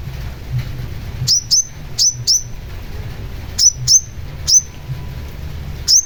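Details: Long-tailed shrike in lively song used to train caged birds: single piercing high notes that slide down slightly, often in close pairs, spaced about a second apart over steady low hum.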